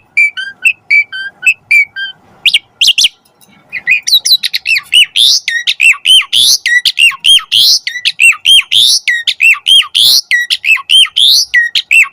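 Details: Asian pied starling song used to train starlings: scattered short notes at first, then a rapid, fairly regular series of harsh, bright chattering notes repeated for several seconds.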